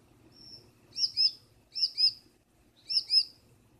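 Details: Unseen female Gouldian finch calling at night from inside the nest, scolding her blue mate and making him wait to enter: three bursts of paired, very high, thin squeaky chirps about a second apart, after a faint whistle.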